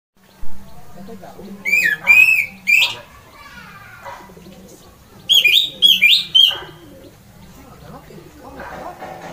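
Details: ["Orange-headed thrush (anis merah) giving its loud 'ngeplong' song, said to set other birds singing. Two bursts of bright, rapid whistled phrases sweep and warble high, separated by quiet gaps over a low steady hum."]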